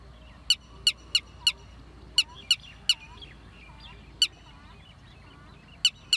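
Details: Red-wattled lapwing giving sharp, strident single notes, some in quick groups of three or four and others spaced out, with faint softer bird chatter behind.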